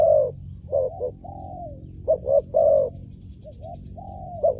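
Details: Spotted dove calling for luring wild doves: a few throaty coos, some doubled, each phrase ending in a drawn-out, softer falling note, with long quiet pauses between.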